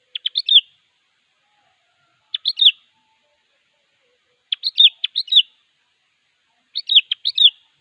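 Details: Calling a rival, a Sooty-headed bulbul repeats a short chirpy phrase of several rapid notes finishing in a downslurred whistle, four phrases spaced about every two seconds in an otherwise quiet recording.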